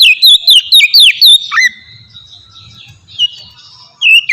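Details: Oriental magpie-robin song for luring other magpie-robins: a quick volley of sharp whistled notes, a drawn-out whistle, a pause with faint low noise, then another short phrase.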